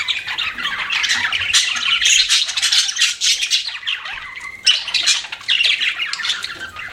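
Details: Pet budgies chirping together in a busy, continuous chatter of squawky, warbling notes with quick rasping bursts, nearly unbroken for seven seconds and briefly quieter near the fourth second.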